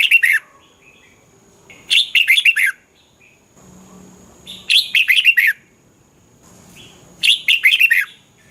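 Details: Red-whiskered bulbul song used to stimulate caged bulbuls: four similar phrases repeated roughly every 2.7 seconds. Each is a burst of five or six bright, bouncy, warbled notes ending on a falling slur, with quiet gaps between.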